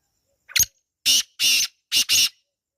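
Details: ['Harsh call of a wild black francolin, recorded outdoors in natural surroundings. One brief clipped note comes first, followed by two pairs of loud, scratchy, broadband notes in a rhythmic phrase lasting under two seconds.']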